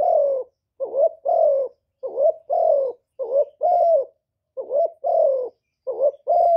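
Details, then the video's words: Decoy spotted dove from Cà Mau cooing steadily to draw in wild doves. Paired phrases run back to back, each a quick wavering note followed by a drawn-out, slightly falling coo, about six pairs in a row, in a quiet setting. "CU GÁY MỒI ĐẤT, CU ĐẤT GÁY, CU CƯỜM GÙ KÍCH BỔI, TIẾNG CHIM CU MỒI"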